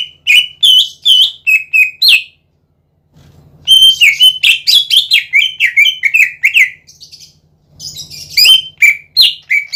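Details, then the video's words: Greater green leafbird in full song, used to provoke other leafbirds into singing: loud, rich whistled notes, slurred and falling, delivered in rapid bursts with short pauses, a low electrical hum filling the gaps. "PANCINGAN CUCAK IJO GACOR"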